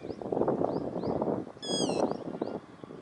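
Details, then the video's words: Single loud, sharp, high-pitched call from a yellow-wattled lapwing while it runs, over a steady low rumbling and rustling background with faint bird chirps. "Yellow Wattled Lapwing calling and running"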